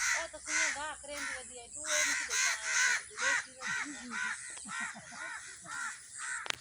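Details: Several angry crows cawing non-stop around a tree, calling other crows: harsh, hoarse caws repeated roughly twice a second in an uneven series, with people talking nearby.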